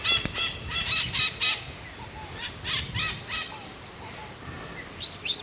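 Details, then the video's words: Scaly-headed parrot (maitaca-verde) giving harsh screeching notes in quick bursts that fade after two seconds, followed by a few quieter, thin whistled notes and soft chirps from other birds. "Maitaca verde Scaly-headed Parrot"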